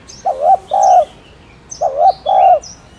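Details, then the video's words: Spotted dove repeats its two-part coo twice, a quick wavering note leading into a longer level note, the pairs about a second apart. Soft high bird chirps are heard in the background. "Tiếng Cu Đất Gáy , Cu Cườm Gáy Kích Bổi"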